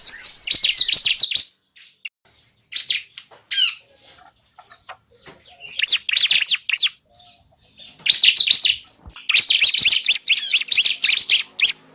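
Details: Bar-winged prinia calling, recorded as a bird-trapping lure: scattered groups of high, quick chirps with pauses between bursts, building to longer dense chirp runs toward the end.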